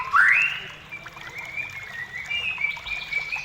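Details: White-rumped shama singing, played to lure shamas into song: one loud rising whistle, then a long thin sustained whistled tone holding steady to the end.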